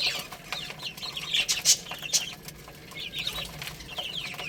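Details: Cute young chicks at play and feeding, short high chirps in loose clusters, a few piercing squeaks, and steady background rustling.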